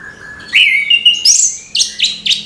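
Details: Orange-headed thrush in the morning, opening with a steady low whistle that jumps to a loud, sustained higher whistle, followed by three sharp, ringing notes about a quarter second apart.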